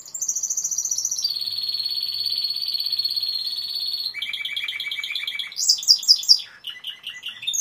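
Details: Timbrado canary song: a high trill shifts into a long, steady lower rolling trill, then faster pulsed rolls and a burst of sharp, varied chopped notes at the close.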